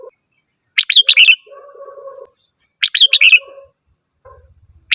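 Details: Red-whiskered bulbul singing: two loud, quick phrases of four or five sharp chirped notes, about two seconds apart, each followed by a softer, lower warbling trail, with a faint low rumble near the end.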